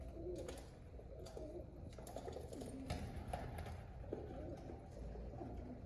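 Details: Low, soft coos from pigeons said to be happy, repeated in rolling bursts over a constant hum, with a few sharp clicks and taps and possible faint voices.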